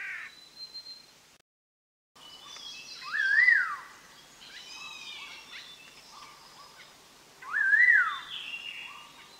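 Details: Collared laughingthrush, a Vietnamese endemic of high evergreen forest above 2,000 m in Dak Lak and Lam Dong, used as a trapping lure: two loud rising-then-falling whistled phrases, with softer trills and chirps from other birds between them.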